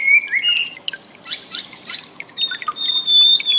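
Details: Chinese Hwamei (wambi) in training audio for cage birds: short whistled notes, a noisy rushing burst, then a long steady high whistle.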